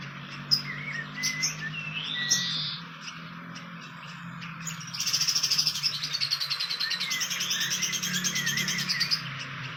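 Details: Fantail at its nest in the wild, giving short high whistled sweeps and chirps over the first seconds. A dense shimmering buzz, probably insects, takes over from midway, with a low steady hum underneath.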